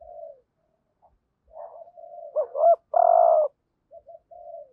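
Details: Spotted dove decoy bird giving a full lure sequence of urging coos in the hap boi voice, used to quickly stir wild doves: soft low coos, then a loud looping double note and a long sustained buzzy coo, quiet coos after.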